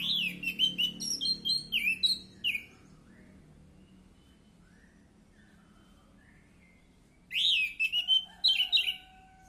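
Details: Orange-headed thrush lure song meant to prompt a stalled bird to sing: a run of quick, repeated downslurred whistles, a long pause, then another burst of sharp, looping whistled notes, low hum underneath.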